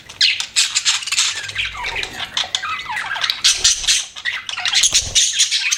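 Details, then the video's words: Pet budgies chatter nonstop in a dense mix of high squeaky chirps, short whistled slides and harsh squawks, with faint low knocking in the background. "BUDGIES CHIRPING SOUND"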